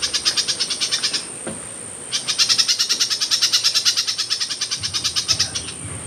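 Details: Myzomela filmed for behaviour observation, 25 December 2022: rapid series of high, buzzy, pulsed notes, about three per second, in two bursts separated by a short pause, over a steady high hiss.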